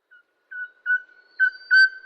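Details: Bloodhead, the Crimson-headed Partridge of Borneo's montane forest, giving thin, clear ringing notes on one pitch that grow louder through a short series of five.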